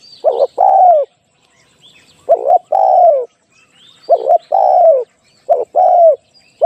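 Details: A spotted dove serving as a trapping decoy repeats its soft, low phrase about four times, a short broken double note leading into a sustained falling coo, while small birds chirp faintly.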